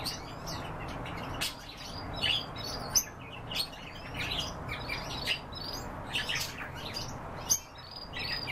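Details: Several kept canaries sing with bright high chirps, rising and falling whistled notes and short buzzy bursts, coming in uneven clusters over quiet background noise.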